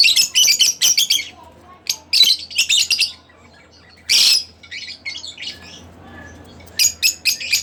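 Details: Pet split blue Fischer's lovebird chirping in clustered bursts of rapid high chips, with quiet pauses between groups and one loud harsh squawk near the middle.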